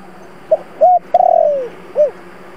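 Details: Spotted dove used as a lure bird, 'thổ' voice, gives one full coo phrase: a short note, a level coo, a long, downward-curving tremulous coo and a final arched note, over a low steady hum.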